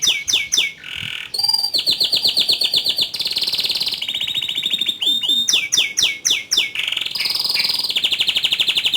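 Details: Canary in strong song, alternating rolls and high shots: quick falling chirps, long rapid buzzy trills at different pitches, and a fresh burst of loud chirps before another sustained roll.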